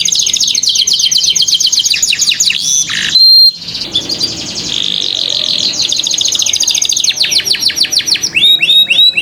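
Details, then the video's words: A canary sings to train young canaries to sing, delivering long unbroken high rolling trills with a short silent break, then a sustained buzzy note and rapid repeated chirps at the end. "Pancingan KENARI PAUD malas BUNYI"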